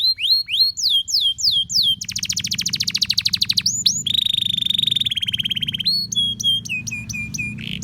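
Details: Canary in full song to get other canaries singing: whistled swooping notes, a long rapid high trill, a steady buzzy rattle, then spaced sharp whistles, varied phrases with barely a break, low hum underneath.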